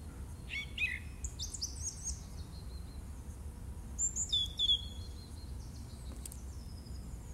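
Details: Song thrush in March 2018 delivering varied high phrases: a pair of sharp descending notes, then clustered squeaky whistles and later a bright ringing phrase. The song is set against a constant low outdoor rumble.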